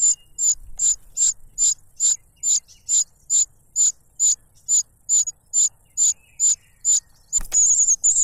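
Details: Cuckoo chick noisily begging as it grabs food from its foster father, who stuffs a butterfly into its mouth; short, very high thin notes repeated steadily about every 0.4 seconds, around twenty in a row, ending with a brief rustle.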